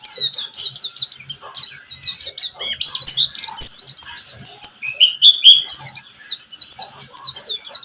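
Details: Lure recording of a pleci (white-eye), buxtomi type, meant to make birds sing. A long stream of thin, bright twitters and quick descending chirps runs continuously at high pitch.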